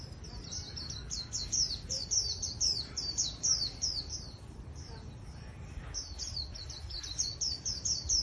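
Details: Fast, high-pitched twittering from a wild-caught Japanese white-eye kept in a cage for trapping bouts: strings of sharp downslurred notes, a short lull near the middle, then another quick burst.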